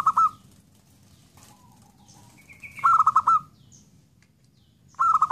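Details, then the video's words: Zebra dove repeating a loud, quick rattling coo three times, about 2.5 seconds apart, with faint soft notes in the gaps. "belajar menggacorkan perkutut"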